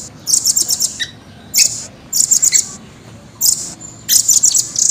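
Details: Caged velvet-fronted nuthatch giving short, very high, fast trill bursts in clusters, separated by gaps of about a second, with quiet background hiss.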